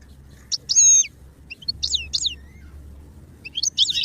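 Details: Goldfinch used for song training, giving a few scattered high, sharp chirps and short slurred twitters with quiet gaps, over a faint low hum.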